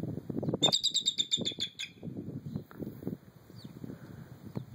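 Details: Eagle distress call at a Minnesota zoo housing injured or ill native animals: a quick burst of high, thin chittering notes, about ten a second, for just over a second, over steady low rumbling.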